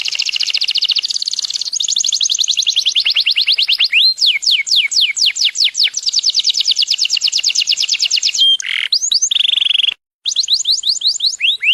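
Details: A yellow canary sings a long, loud, high song of rapid rolling trills, with fast rising and falling notes and brief buzzy phrases, with no other sounds.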